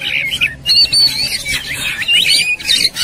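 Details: White-rumped shama agitated and fighting: brief burst of rapid wavering whistles and chattering trills, phrases running together.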